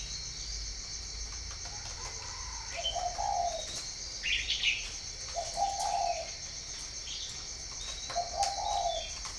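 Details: Spotted dove at a Ba Vì breeding farm in northern Vietnam, repeating gentle, rounded coo phrases at regular intervals of roughly two and a half seconds. Scattered high chirps from other birds run throughout.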